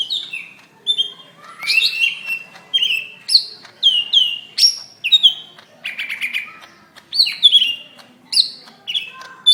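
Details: Greater green leafbird, May 2016, in a fighting call meant to provoke other leafbirds into singing for training: loud, varied phrases of descending slurred whistles and buzzy bursts, repeated about every second.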